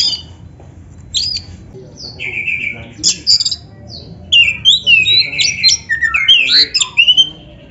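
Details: Training song of the Oriental magpie-robin (kacer): sharp buzzy notes and short whistles at first, building to a loud, rapid, warbling run of harsh and whistled notes in the final seconds.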